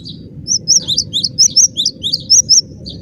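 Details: Cinereous tit delivering a rapid series of high, clear whistled notes that alternate between two pitches, packed closely together over a faint low hum.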